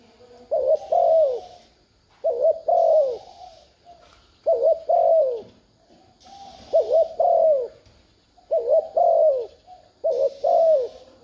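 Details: Spotted dove cooing steadily to stimulate a decoy bird: six rhythmic phrases about every two seconds, each a short double note followed by a mellow falling coo, over light background hiss.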